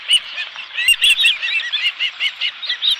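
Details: At the Dunrovin Ranch nest with a live fish on 11 July 2018, an osprey utters a steady string of high, slightly rising whistled chirps, spaced a little under a third of a second apart.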